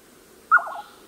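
A Jerdon's Nightjar gives one brief call, a third of a second long, opening on a sharp higher note then wavering lower in three or four quick ripples over a faint hiss.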